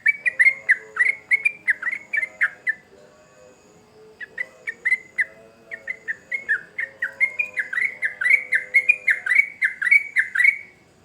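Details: Energetic song of a sooty-headed bulbul: bursts of rapid, chattering, liquid notes, a short pause, then a longer accelerating series of bubbly rising-and-falling phrases, with faint lower tones underneath.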